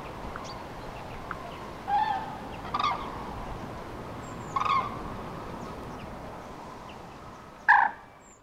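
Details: Common cranes on spring migration, 5 March 2016, in central France where three departments meet, many flocks scattered by bad weather passing in the afternoon; a few loud trumpeting calls at intervals over steady wind-like noise.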